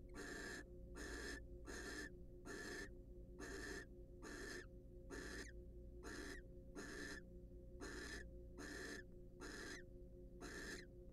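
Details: Harsh rasping hisses from wild barn owls preening and courting in a nest box, a long even series of half-second bursts at a steady rhythm near seventy-five per minute, with a constant low hum beneath.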